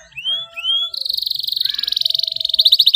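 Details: Canary singing a clear, prolific rolling song used to stimulate silent canaries to sing: two rising whistled notes, then a long, fast, even roll that ends in a quicker pulsed trill.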